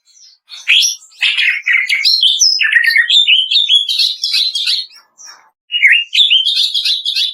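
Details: Greater green leafbird in kretekan song, used to prompt caged birds to sing: a long, loud stream of rapid, crackling, varied whistles and chatters, a brief break, then more fast, ringing chatter.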